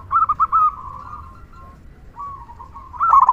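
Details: Local zebra dove with a loud kung song meant to stimulate other doves. A rolling coo phrase fades into long soft cooing, then a sharp rapid burst of notes returns at the end.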